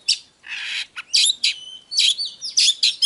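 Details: Oriental magpie-robin song meant to rouse birds to fight: harsh rasping bursts and scratchy notes mixed with thin whistled slurs, coming in quick uneven bursts.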